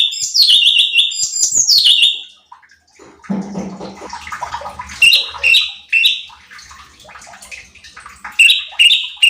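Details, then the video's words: Bulbul known locally as cucak cungkok, singing to provoke other birds in training: two long descending whistled trills open, then splashing, rustling noise mixes with scattered short bright whistles later on. "CUCAK CUNGKOK GACOR || Pancingan Cucak Cungkok Malas Bunyi | Bikin Emosi Burung Lain"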